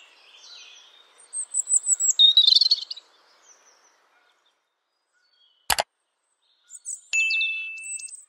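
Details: European robin singing: high, thin, varied phrases with quick trilled notes over the first three seconds, a brief pause broken by a sharp click, then a final phrase ending in a steady, pure whistled note.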